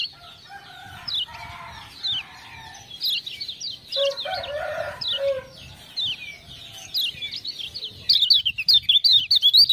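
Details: Lemon-bellied white-eye from Lombok singing to ciak-ciak prompting: scattered high slurred chirps, a few lower rasping phrases, then a fast, loud rattle of repeated chirps in the last seconds.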